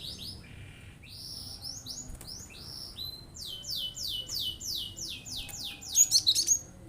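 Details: Cinereous tit singing to stir other birds into answering: fast series of high, clear notes each sweeping downward, repeated steadily and growing louder, ending in a loud rapid clustered flourish; faint low background rumble.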